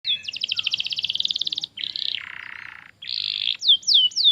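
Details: Canary song used as a lure to train young canaries to sing: a fast rattling trill, then a buzzy lower stretch, a short chattering phrase and three sharp descending whistled notes.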